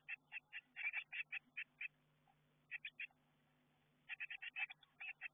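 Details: Young Eurasian blue tits inside a garden nestbox, getting ready to fledge, heard through the nestbox camera: short grouped chirps, some doubled, coming in irregular bursts with a quiet gap midway.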